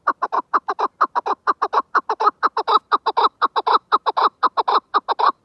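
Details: Chukar partridge call: loud, evenly paced clucking notes, each dropping in pitch, about two per second and sometimes paired, continuing unbroken.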